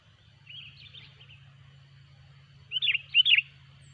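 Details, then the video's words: Sooty-headed bulbul song used as a lure for trapping bulbuls: a faint warbled phrase first, then two loud, bubbly, slurred whistled phrases near the end, over a steady high whine and low hum. "suara burung kutilang gacor pikat terampuh"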